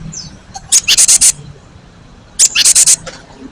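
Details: Two bursts of harsh, very high, rapidly pulsed churring from a cinereous tit, about a second apart, recorded as a lure to provoke replies from other birds.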